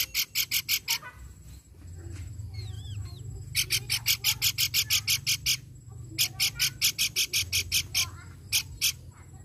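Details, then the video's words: Pelanduk bukit babbler, a recording used as a lure to make birds sing: bursts of sharp, buzzy, rapidly repeated notes, about six per second, with a few thinner whistled phrases between bursts and a low background hum. "Pelanduk Bukit Gacor Ampuh Pancing Bunyi"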